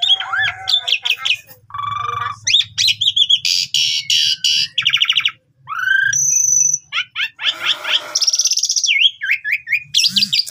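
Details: Asian pied starling in continuous, varied song. Twangy looping whistles, dense buzzy rattles, and a clear high pure whistle are mixed with harsh chatter and squeaky upslurs, over a steady low hum.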